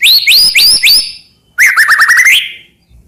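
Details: White-rumped shama song used as a master song to provoke other shamas into singing: loud rising whistled notes repeated quickly, then a rapid trilled run of upswept notes, clean and without background sounds.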